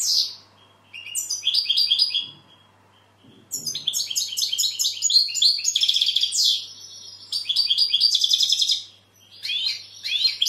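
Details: European goldfinch delivering several phrases of fast, high twittering song, mixing buzzy trills and sharp chirps, with brief silent pauses between bursts and faint low knocks in the background.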